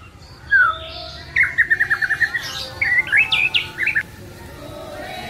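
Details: The white-rumped shama gives a master song for training other songbirds: a string of quick, evenly spaced whistled notes, then a burst of rising, twisting phrases over faint background noise.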